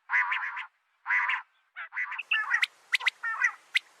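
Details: Female common quail giving its call: two loud, raspy, nasal bursts separated by silence, then quicker buzzy notes mixed with sharp high ticks.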